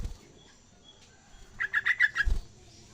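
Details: Young yellow-vented bulbul learning to sing: a short run of about six clipped, chirpy notes packed into half a second, followed by a dull thump. The rest is quiet background.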